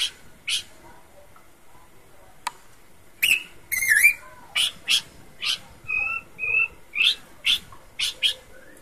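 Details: Actively singing Horsfield's babbler: scattered sharp chips, a slurred buzzy phrase, then a steady series of crisp chip notes mixed with two short level whistles.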